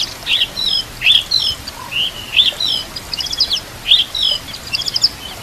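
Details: White-rumped shama training song with nature and water sounds: high, squeaky phrases repeated about every second, each a cluster of bright chirps and short buzzy notes.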